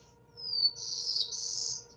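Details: A Black-throated Blue Warbler, a Vermont forest canopy bird, sings a high, buzzy, slurred phrase of drawn-out notes rising at the end, like 'beer beer bree', over a faint steady hum.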